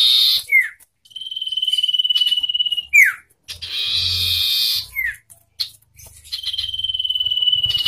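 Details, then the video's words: Common iora singing contest between a wild forest bird and one hand-raised from a chick: long steady whistles held for about two seconds, sharp down-slurred notes between them, and loud buzzy rasping phrases. "Adu Suara Kencang - Sirtu Hutan dengan Sirtu Rawatan Tarung Gacor"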